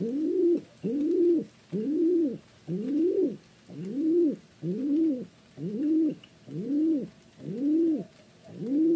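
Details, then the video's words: Pigeon cooing steadily: about ten low, arched coos, each rising then falling, repeated roughly once a second in a quiet setting. "เสียงนกพิราบ Pigeon Sound"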